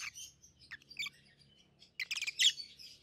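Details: Softer, more distant chirping from a pair of captive peach-faced lovebirds, 7-8 months old, red-headed green opaline and red-faced dark green, with a louder harsh burst toward the end over a faint low hum.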